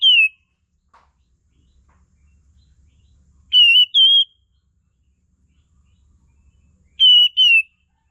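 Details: Lure song of a sooty-headed bulbul, known locally as kapas tembak, for tutoring songbirds: bright descending whistled notes, one alone, then two close pairs spaced about three and a half seconds apart, with silence between.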